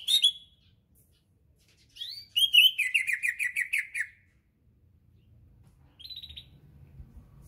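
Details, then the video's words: Greater green leafbird of the Berau type, a kept bird prepared for a singing contest: a bright opening whistle, then a rapid run of about ten quick, descending chattering notes, followed by a short high trill after a pause. "Cucak Ijo Berau"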